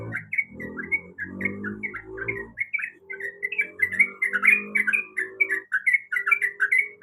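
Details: A female yellow-vented bulbul calls for a male while in breeding condition. Busy chatter of liquid, up-and-down notes that grows denser and louder toward the end, over soft low humming.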